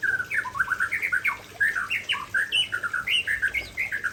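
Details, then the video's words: Aceh white-rumped shama pouring out its favourite fill-in phrases: loud, rich whistled notes in quick, varied bursts, with slurred upward and downward sweeps repeated almost without pause for about four seconds. "Murai Aceh Tumpahkan Isian Andalan"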